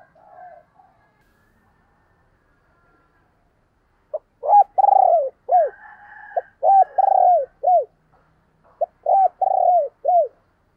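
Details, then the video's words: Spotted dove used as a decoy, cooing to draw in wild doves: after a quiet start, three deep coo phrases follow, each a brief note, a drawn-out wavering coo and a curved falling note. "Tiếng Chim Cu Mồi Gáy Gọi/ chim Cu Gáy Kích Bổi"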